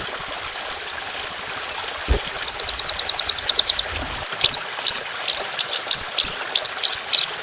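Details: Trotolan, an Indonesian songbird, on a training recording with trickling water: quick high ticking trills, then a slower series of sharp, bright whistled notes repeated roughly twice a second.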